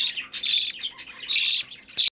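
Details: Budgerigar chick at hand-feeding, two drawn-out hoarse begging squawks followed by a short sharp note before silence.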